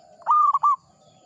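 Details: Local zebra dove, an old and frequent singer, gives one brief phrase: a sustained mid-pitched coo, a quick hiccup, then a final short note. The surroundings are otherwise quiet.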